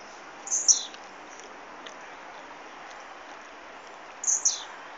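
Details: Blue-black grassquit repeating a brief, very high buzzy phrase twice, about four seconds apart, each a sharp upward burst with a falling tail, over steady background hiss.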